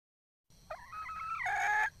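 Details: Wild red junglefowl hen gives a single thin, wavering whine that swells into one loud, drawn-out nasal cackle, after a brief silent start.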